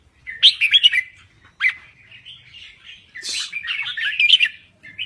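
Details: A Thai red-whiskered bulbul sings actively. Quick bright warbles and a rising slurred note are followed by a loud rustle or click. A softer run of jumbled chattering notes comes after.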